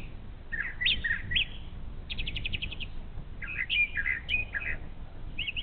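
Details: Brown thrasher in morning song along the Little Miami River, Ohio, giving varied whistled phrases and a rapid, evenly spaced trill of short notes, with constant low background rumble.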